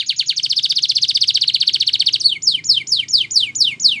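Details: A Belgian canary, singing for training young birds, gives a fast steady high trill for two seconds, then switches to a slower series of sharp descending whistled sweeps, about three per second.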